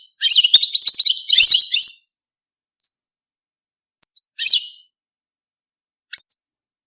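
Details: European goldfinch in mating song: one dense two-second burst of rapid twittering, followed by isolated short chirps and a small buzzy phrase amid silence.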